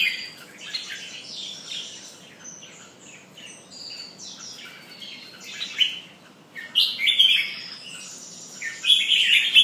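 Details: Red-whiskered bulbul pumping and singing. Soft, scattered high twitters are followed by louder sweet chattering phrases near the end, over a low hiss.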